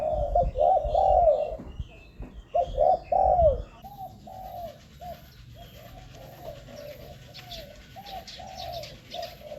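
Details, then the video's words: Spotted dove coos meant to lure wild birds: a few loud arched hooting notes early, then a quieter, rapid series of short coos with faint high clicks and a thin whine above. "เสียงนกเขาใหญ่ หมานๆ 100%"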